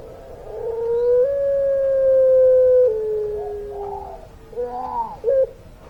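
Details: Long-voiced puter pelung dove singing: a sustained, pure coo stretched for about two seconds, then dropping to a lower held tone and breaking into short wavering, yodel-like notes.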